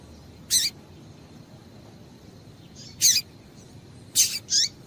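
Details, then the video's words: ['Female double-collared seedeater giving high, raspy chirps to make males sing: one early, one at three seconds, then a quick double with a falling note near the end, with a soft faint call before.'] "Piado de Fêmea de Coleiro para Esquentar Coleiro"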